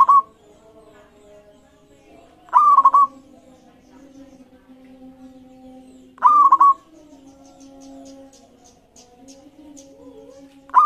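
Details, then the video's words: Zebra dove song played as a master recording to prompt other birds to call: short bursts of quick cooing notes repeated about every three to four seconds over a steady low background hum. "Masteran Perkutut Lokal Gacor Iramanya Mengundang Lawan Bunyi"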